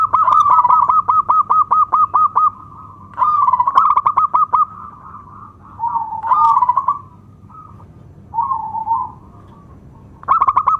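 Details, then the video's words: Zebra dove of local stock singing loudly, a lure for other doves and a prompt for birds that stopped singing: quick series of clipped repeated notes followed by rolling warbled coos, phrases separated by pauses, low background hum. "SUARA PERKUTUT LOKAL ( PEMIKAT AMPUH PERKUTUT MACET BUNYI )"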